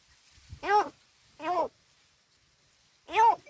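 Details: Crow said to talk, recorded at Gargaon in Palghar: three short arched, nasal calls, two close together and one after a pause, with quiet surroundings between them.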